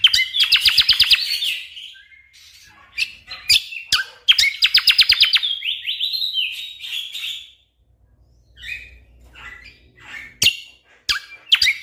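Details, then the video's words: Orange-spotted bulbul used as a tutor for competition songbirds: a fast rattling trill of sharp repeated notes with a whistled sweep, given twice about four seconds apart, followed by sparse clicks and short chirps. "Masteran Burung Cucak Kombo Gacor Full Tembakan Rapat Cocok Untuk Isian Burung Lomba Kicau"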